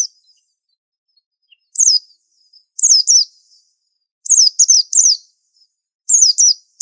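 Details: Pleci, a white-eye, sings a master song called extra-unique. Sharp, high, downward-sweeping notes come in pairs and triplets, separated by gaps of about a second, with no other sounds.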